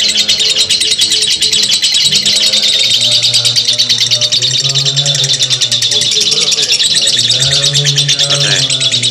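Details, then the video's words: Extended lovebird ngekek chatter for training other birds: an unceasing, shrill, rapidly pulsed warble, with gentle low hums and other faint tones beneath and a brief dip near the end. "simuasi lovebird ngekek panjang"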